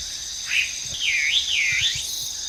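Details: Wild Chinese hwamei singing: a brief whistled note, then a flowing wavy phrase of looping up-and-down whistles lasting about a second, with a constant high-pitched insect drone behind.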